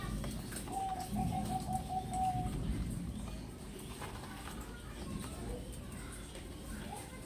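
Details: Zebra dove of the perkutut crossing type with an 'engkel' voice, being sent from Semarang to Demak, Indonesia. It gives one beaded, stuttering cooing trill lasting about two seconds over a low rumble and faint background voices.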